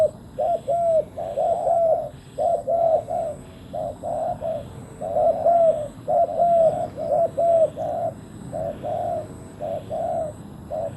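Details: Spotted dove used as a decoy for wild doves. It coos in a fast, near-continuous run of paired notes, roughly one pair per second, and fades slightly toward the end.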